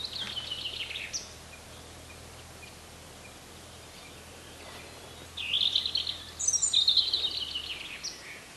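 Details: Azores bullfinch, or priolo, giving clear, high whistled notes that slide downward. One phrase opens the recording and two more follow after a quiet gap of several seconds.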